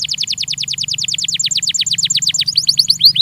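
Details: Belgian canary singing for training: a long, even run of rapid descending whistled notes, closing with a few louder upslurred whistles.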